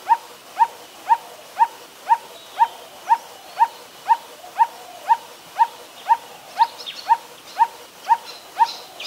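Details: Coppersmith barbet in Ubon Ratchathani, Thailand, 16 December 2019, a very common resident: about eighteen metronomic hollow 'tuk' notes, two per second, with faint high chirps of other birds near the end.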